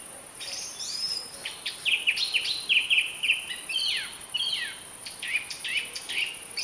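Song thrush singing a rapid run of varied, bright whistled and chirpy phrases, some notes quickly repeated, over a steady high insect-like hiss.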